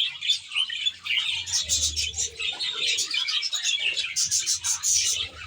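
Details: Budgerigars in a large aviary chattering as a flock: rapid high twitters and whistled squeaks in pulsing bursts, louder toward the end, over a steady low hum.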